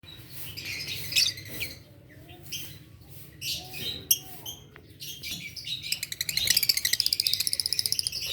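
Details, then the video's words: Adult green Fischer's lovebirds in the morning, giving harsh, high chirps and squeaky notes in scattered bursts, ending in a fast, rapidly pulsed chatter over low background hum. "lovebirds chirping sound adult lovebirds green fischer health birds"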